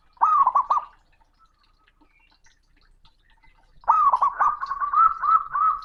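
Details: Loud male zebra dove calling a rival: a short rolling phrase of bubbling coos, a silent gap of about three seconds, then a longer run of trilled notes that trails into steadier, drawn-out cooing.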